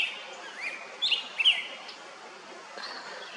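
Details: Male Black-headed Grosbeak, May 21 2024 at 11:43, gives a few short, sweet, slurred notes, brightest near the middle, against a quiet outdoor hiss.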